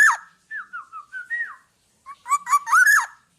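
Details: Lively Black-naped oriole song meant to train other birds: a harsh downslurred note, a string of soft wavering whistled notes, then a loud scratchy, nasal phrase with rising slurs.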